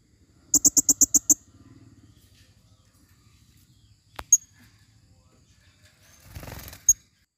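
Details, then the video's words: A rapid run of six high, sharp squeaky notes from a female blue-crowned hanging parrot used as a forest lure, then quiet with a couple of isolated high chips and a brief rustling noise. "Serindit Suara paling banyak...!!"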